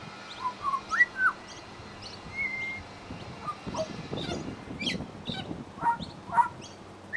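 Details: Pied butcherbird at a bird sanctuary mimicking other birds: scattered clear whistled notes, some rising, some falling, spread over seven seconds among soft rustling and tapping.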